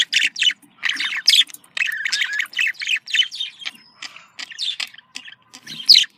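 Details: Australian parakeet chatter meant as a contact call: rapid buzzy chirps and warbled phrases in irregular bursts, ending with a sharp rising squeak.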